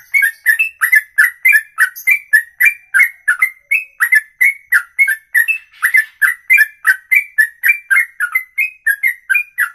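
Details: Ropelan song from a bird, one unbroken breath of more than two minutes: a rapid, steady stream of short whistled chips, roughly three or four each second, alternating slightly higher and lower pitches.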